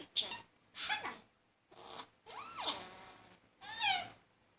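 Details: Talking male budgerigar courting another budgie, persistently but without much success; a few separate scratchy warbles with rising and falling whistled sweeps, spaced by short silences, in a quiet room.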